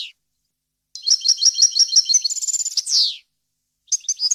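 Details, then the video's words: Clean European goldfinch song in a wild-style repertoire meant for training chicks: a quick twittering run, a fast buzzy trill and a long falling slur, then a short pause before more high chirps. "غناء طائر الحسون ، صوت صافي وخالي من الاخطاء لتسميع الفراخ"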